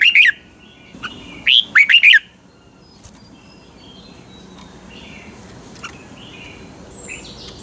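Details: Thai caged Red-whiskered Bulbul of the Pa La-u line singing in 'double song' style. Two quick phrases come early, each of four or five looping whistled notes, followed by several seconds of soft hiss and faint distant bird notes.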